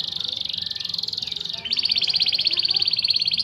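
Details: Song from a canary the owner describes as a champion: a continuous rapid trill that shifts to a higher, brighter rolling trill halfway through, with no other clear sounds.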